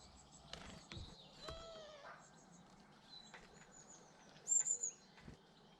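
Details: Garden birds in a British garden: a harsh, nasal squawk with rich overtones, sharp clicks, and a quick high trilled burst of three notes near the end, in a quiet setting.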